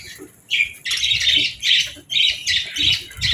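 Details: Captive budgerigars chirping on a calm morning while feeding and bathing; harsh, grating chirps in bursts of about half a second, repeated roughly once a second, with faint low thumps underneath.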